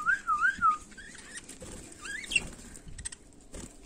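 A budgerigar gives a wavering, up-and-down whistled warble, then scattered short chirps and soft chatter over light background noise.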